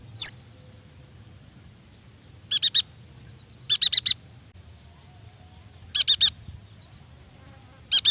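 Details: Yuhina song for prompting young or reluctant birds to sing: one sharp down-slurred chip, then groups of three to four fast, rasping high notes at irregular intervals.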